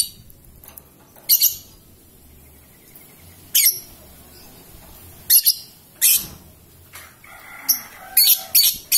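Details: Young lovebird, about three and a half months old, during mental training: sharp, shrill high chirps and squawks in short bursts at irregular intervals, with faint rustling between calls.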